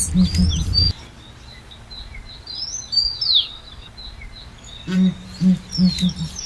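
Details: Southern ground hornbill giving deep, low booming notes in short bursts of about four, one burst at the start and another near the end, with thin high bird chirps above and a quiet pause between.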